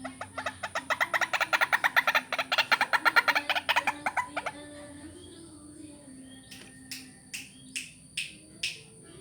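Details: White-breasted waterhen lure call for vocal practice: a long, loud series of quick, rasping, repeated pulses rising and then stopping, followed by several sharp clicks or finger snaps.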